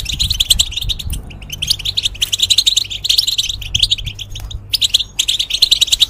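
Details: Caged European goldfinch whose song is played to train young goldfinches and hybrids: bursts of quick, sparkling twitter separated by brief pauses, each phrase packed with chirps and buzzy trills.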